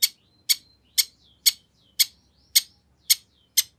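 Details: Long-tailed shrike sounds used as a lure to prompt other shrikes to reply: loud harsh rasping notes about twice a second, each trailed by a faint thin whistle, with soft low murmuring behind.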